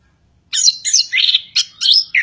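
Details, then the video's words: A chestnut-capped thrush sings a rapid, varied run of high sweeping whistles and chirpy trills in quick bursts, with no other sounds. "anis kembang ocehan panas"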